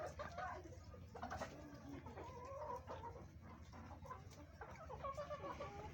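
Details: Farm chickens feeding on green vegetables give soft, repeated clucks and short wavering calls over a steady low hum.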